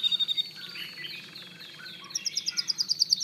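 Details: Canary in song: a short high rattle opens, followed by warbled, slurred phrases, then a rapid run of sharp, bright repeated notes near the end.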